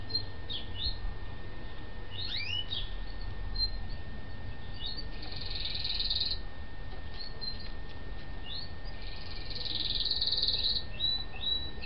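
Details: Several yellow-legged gull chicks, captive and recovered a few days after reaching the house, peeping in quick high chirps with two stretches of steady hissing noise, low hum underneath.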